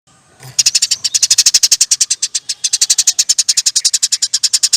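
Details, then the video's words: Sparrow giving a long, lively chattering song as training material for songbirds. Dry, sharp chirps repeat rapidly at about eight per second in an unbroken run of nearly four seconds. "NYERECETTT PANJANG, KICAU BURUNG GEREJA GACOR"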